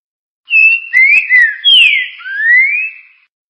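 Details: Green-winged saltator song in the classic style: a short phrase of clear whistled notes, some held level and some sliding upward, ending in a long rising whistle.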